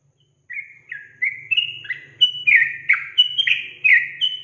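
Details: Sooty-headed bulbul song for provoking young bulbuls. Clear whistled notes repeated roughly once a second, each a short slur down or up, growing denser and louder toward the end over a faint hum.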